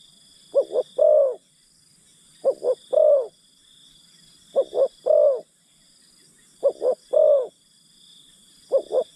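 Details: Decoy spotted dove coaxing wild birds, cooing in regular phrases of two brief notes followed by a drawn-out descending note, about every two seconds, with a constant thin high whine behind.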